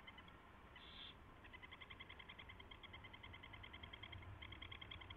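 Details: Mouse delivery and feeding at an owl nest before dawn on 24 February 2016: a short hissing screech, then a long, rapid, rhythmic chitter of clipped tonal ticks continuing to the end over low background hum.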